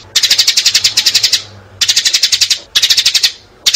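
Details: Flock-gathering call of a sparrow, used for trapping. Loud, high, metallic chirps come in fast trains of about ten notes. Each burst lasts roughly a second, and brief pauses separate the bursts.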